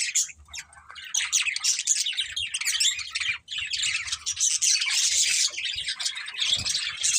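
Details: Breeding pair of budgerigars in chattering chirps: quick, high, squeaky warbles and tweets running almost without a break, with a short quiet dip midway and soft low thuds beneath.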